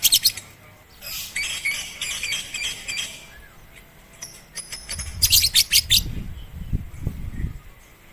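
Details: Lovebird in song training on a rooftop, April 2021, using a master recording: bursts of high, rapid chattering chirps, a quieter gap with a thin whistle, then harsh chirp volleys over low thumping sounds.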